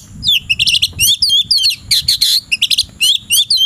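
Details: Oriental magpie-robin in the afternoon, said to be ready to fight a rival, delivering a rapid run of loud, high, twisting whistled notes in short bursts roughly every quarter second, with faint low rumble behind.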